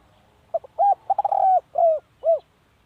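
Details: Spotted dove decoy bird giving one complete coo: soft lead-in notes, quick stuttered pulses swelling into a drawn-out coo, and two final arched coos that drop in pitch.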